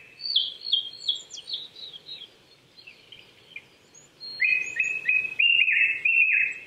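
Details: A Japanese thrush sings on an April 2019 morning at about 800 m in Saitama Prefectural Forest, Chichibu, Japan: a high descending series of clear whistles, then lower rich repeated whistles after a brief pause.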